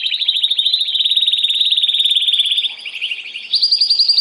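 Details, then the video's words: Canary song, possibly Belgian or Timbrado, used to stimulate females for breeding and to tutor young birds: a fast, high rolling trill held over two seconds, a brief break, then a sharper, higher trill. "تغريد كناري"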